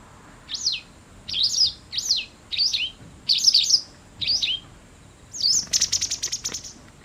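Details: Autumn white wagtails fighting over garden territory at a house: six sharp, high, slurred chirps about every 0.8 seconds, then a fast rattling burst of clicking ticks, loud and close.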